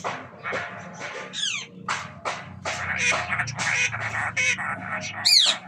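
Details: Red-breasted parakeet at the start of the breeding season: a dense run of harsh, raspy, nasal screeches, some sliding downward, given in quick irregular bursts, with a loud rising-then-falling squawk near the end and a low background hum.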